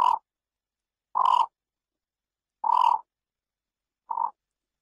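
Yellow bittern giving four harsh, croaking notes about every second and a half, the last one shorter and softer; nothing else is heard.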